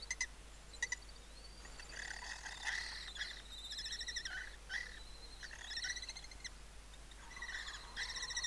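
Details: Lesser kestrels at a nest colony of 80 nest boxes in Cabañeros National Park, Castilla-La Mancha, Spain, calling during mating: bursts of rapid, harsh chattering trills, several overlapping, with short clicks and pauses between.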